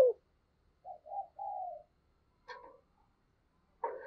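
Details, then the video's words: Decoy spotted dove cooing to stir rival doves: a run of three low coo notes, the last drawn out, followed by a couple of short rough knocking sounds. "Chim Cu Mồi Thúc Và Gáy Gọi Kích Bổi Nhanh Gáy"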